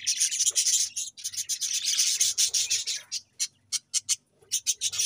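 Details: Dense, rasping budgerigar chatter fills the first three seconds in scratchy high bursts, then breaks into separate sharp chirps spaced about half a second apart.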